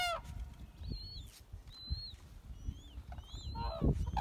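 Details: Red-crowned cranes on Hokkaido, Japan, in winter (February 2019) give loud, rich trumpeting calls at the start and near the end, with thin high whistles from other birds and a low wind rumble.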